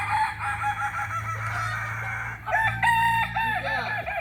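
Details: Solok-bred Kokok Balenggek chicken from West Sumatra crows in two bouts: a long harmonic call, then after a brief dip a series of quick, looping arched notes.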